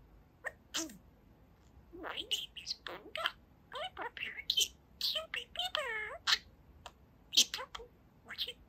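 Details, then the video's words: Pet budgerigar aged two chattering steadily indoors, dense scratchy warbling with gliding squeaks and mimicked speech-like syllables, nearly continuous across the stretch. "Boba the Budgie Talks for 4 Minutes! | Talking Parakeet"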